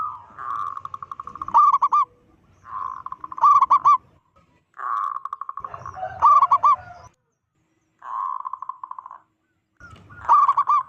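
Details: Vocal local zebra dove with a big voice, calling to panic other zebra doves. Rapid purring trills alternate with clusters of three or four clipped, hooked coos, repeated about every two seconds, over a faint low rumble.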